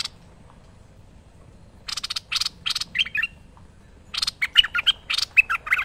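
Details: Merbah lekir bulbul in lively song for training: after a quiet start, harsh buzzy bursts give way to a busy stream of sharp chirps and gurgling notes over faint background hiss.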